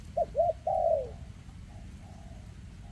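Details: Spotted dove with a leg defect, recorded in 2024, giving a single phrase of two quick coos that lead into a drawn-out, descending coo, then fainter softer notes and a low background rumble.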